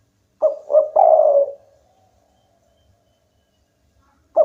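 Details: Local-type spotted dove in full, vigorous song said to make rival birds join in: a low three-part coo, two short notes then a longer drawn-out one trailing away, with the next phrase starting at the end.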